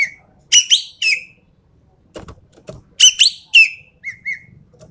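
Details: Sumatran treepie (endemic) calling in tutor and lure audio: paired harsh, metallic chattering notes, a few soft clicks in a quiet middle stretch, then more grating notes and two softer, shorter clear notes.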